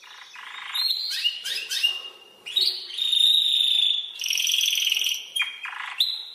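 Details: Spanish timbrado canary song played as a tutor recording for training other birds in song style: bright, continuous metallic rolls and trills, with sustained ringing phrases broken by quick rising and falling notes and short pauses.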